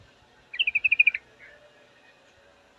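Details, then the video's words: Female yellow-vented bulbul calling to a male: a single quick rattling run of about eight bright, even chirps lasting just over half a second, with light background hiss. "suara trucukan betina full memanggil jantan pasti langsung pada nyaut"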